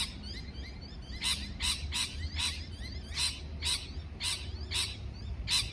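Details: Parrot giving a string of about nine scratchy, buzzy chirps after a quieter opening second, spaced fairly evenly, with low rumbling noise underneath.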